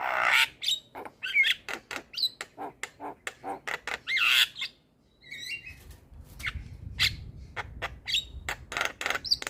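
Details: Javan myna in full-repertoire song used to tutor and prompt quiet mynas: a rapid series of harsh squawks, clicks and short rising whistles, with a brief pause midway before the chatter resumes more sparsely.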